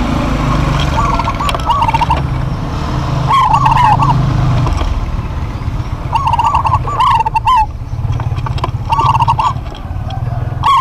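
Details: Duet of local zebra doves in full voice: warbling coo phrases with a rapid trill, repeated in clusters every second or two, over a loud low engine-like rumble.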